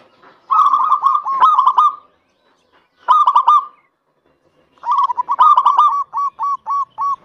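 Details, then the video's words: Zebra dove of the local type, whose song is used to prompt other doves to sing, delivers three bursts of rolling, bubbling coos, the last ending in a row of separate short cooing notes. "PERKUTUT LOKAL GACOR TERAPI MUJARAB ATASI PERKUTUT MALAS BUNYI 100% LANGSUNG NYAUT"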